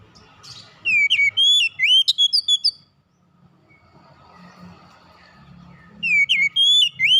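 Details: Kacer, the oriental magpie-robin, calling its companions with two bursts of bright whistled notes, rising and falling slurs in quick succession, separated by a few seconds of near silence with faint low rumble.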